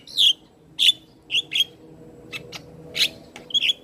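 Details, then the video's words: Black-winged starling, singing briskly with head-bobbing: short, emphatic squeaky notes delivered singly or in pairs about every half second, with quiet gaps between them. "Suara Asli Jalak Kebo gacor Full Manggut manggut Pas Buat Pancingan Jalak Bisu"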